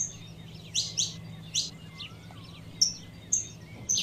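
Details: Female saffron finch calling to heat up the male: a few bright high chirps, then short flat whistled notes near the end, with a soft low hum throughout.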